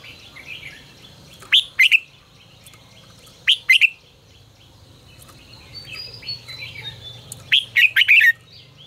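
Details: Red-whiskered bulbul singing 'ché căng lửa' style phrases as a training and lure recording: three bursts of bright, bubbling, slurred whistles roughly two seconds apart, the last longest, over a faint low hum.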